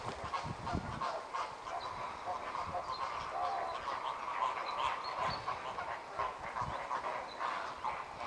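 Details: Many American flamingos in group courtship, turning heads in parallel and opening wings to bring the flock into breeding condition, give a steady babble of overlapping nasal honks, rapid and irregular, forming an unbroken flock clamour.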